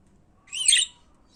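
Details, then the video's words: Single pet budgerigar call: one short, harsh, rising-then-falling high chirp, lasting about half a second against a quiet background. "Periquitos de Estimação Cantando"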